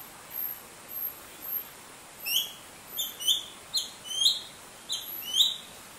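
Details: Greater racket-tailed drongo chirping while eating at a pond bird hide in Shiti Village, Yingjiang County, Yunnan, China, October 2020; sharp rising whistled chirps, often in quick pairs or triplets, repeated irregularly over steady background hiss.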